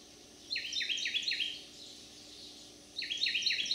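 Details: Resident male Carolina wren singing loudly from a backyard in Manchester, St. Louis County, Missouri, on July 30, 2022, in summer. He gives two bursts of rapid, ringing, repeated swooping notes with a short pause between them, over a faint steady background hum.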